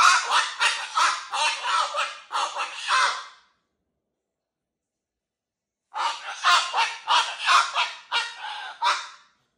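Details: Cockatoo, described as excited, letting out two long bouts of grating, broadband squawks, each about three seconds of rapid pulsed screeching separated by a few seconds of silence.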